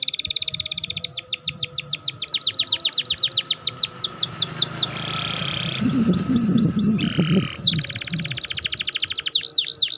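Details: Canary song meant to stimulate a young or reluctant bird to sing: fast descending chirp trills, buzzy rattles and short high whistles, changing pace, over a low background rumble.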